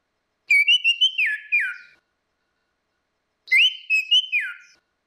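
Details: Female versus male orange-headed thrush song as a lure: two near-identical whistled phrases, a steady tone ending in a falling slur, about three seconds apart, clean recording.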